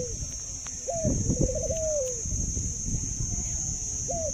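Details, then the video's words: Caged Thai dove kept as an ornamental bird, known for a laughing coo and a long-lasting call: a short rising note, then a rolling trilled coo that slides down, over a low rumbling background. "Chú chim cu Thái biết cười và có tiếng gáy lâu nhất thật đẹp"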